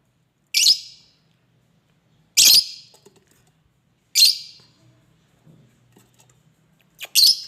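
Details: King parrot giving harsh, loud, high screeches, each about a quarter-second long and repeated roughly every two seconds, with a doubled screech at the end; faint low background hum between calls.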